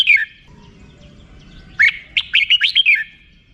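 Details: Red-whiskered bulbul giving 'rik' song: one short chirp, a quiet gap, then a fast phrase of six or seven liquid, bouncing notes.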